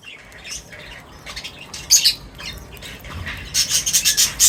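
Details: Birds gathered for a meal at feeding time; quiet chatter builds into sharp squawks, then ends in a fast run of bright, harsh notes.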